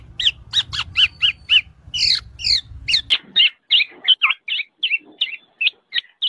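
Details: Black-naped oriole in a songbird tutor recording, giving a string of short, harsh, buzzy notes at a steady pace, shifting into clipped twangy notes; a low hum fills the first half.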